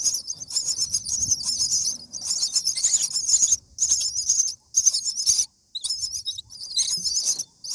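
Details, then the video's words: Seven-day-old common myna chicks begging while fed in their nest, giving hoarse, high-pitched rasping bursts of a second or so, broken by short pauses, over soft low rustling. "Common Myna Feeding baby birds"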